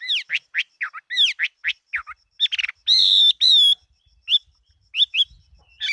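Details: A 2018 recording of a fighting Chinese hwamei pouring out varied, rich whistled phrases with swooping notes and two long, loud sustained whistles, followed by scattered short notes.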